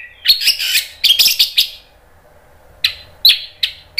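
An Orange-headed thrush sings a quick, varied run of bright, high chirps and warbles, pauses, then adds a few short sharp notes.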